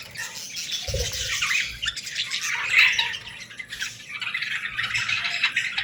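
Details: Budgerigar chicks hungry for food give a steady chorus of harsh, buzzy chirps that swell and fade in waves. A single low knock is heard near the first second.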